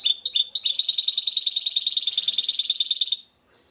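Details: Singing goldfinch mule, a hybrid, from Šuto Orizari. A couple of jumpy high notes open a steady, rapid metallic trill that runs for nearly three seconds, then stops cleanly.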